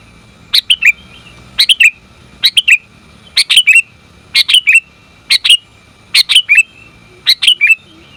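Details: Call of a female sooty-headed bulbul to attract the male. Bubbly chirp groups of two or three upturned notes repeat about once a second, steady and clear over a soft low hum.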